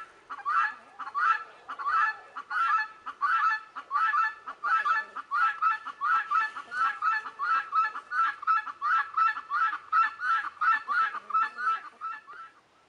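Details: Guineafowl heard behind Leghorn chickens, calling steadily for thirteen seconds: rasping, honk-like notes repeated in a regular rhythm of about three every two seconds, staying loud, then fading at the very end.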